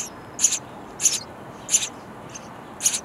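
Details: Young sparrows begging from a bird house nest; four loud, high, harsh chirps spaced about two-thirds of a second apart, plus one fainter note.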